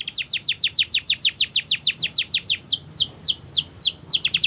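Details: Long 'gacor' canary song for training young canaries: rapid run of high, descending whistled sweeps that slows briefly midway, then quickens again toward the end.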